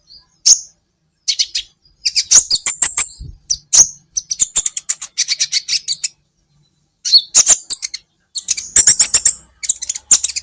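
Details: Van Hasselt's sunbird singing on a cage-bird training recording: dense runs of high, thin, rapid chips and buzzy twitters, delivered in bursts of one to two seconds with short pauses between them.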